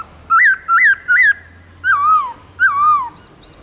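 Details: White-browed laughingthrush singing its loud, clear forest-style song: three quick rising-and-falling whistled notes, then two longer slurred whistles sliding downward, each phrase distinct and ringing over a faint low hum.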